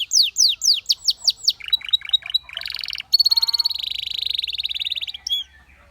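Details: Belgian canary song that attracted many canaries to sing: separate downslurred whistles speeding into buzzy trills, then a long high rolling trill that ends abruptly in quiet.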